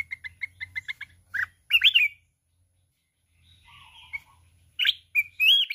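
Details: Mountain red-whiskered bulbul singing in a contest while flapping its wings, in the wild-style 'kít bổi' voice. A quick run of repeated chirps opens, then loud warbled phrases separated by pauses, with faint low rumble underneath.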